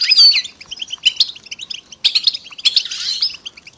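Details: Several European goldfinches twittering together in a chorus meant to stir silent males into singing, with mating and readiness calls; rapid liquid chirps and high tinkling notes in dense bursts, louder peaks near one, two and three seconds.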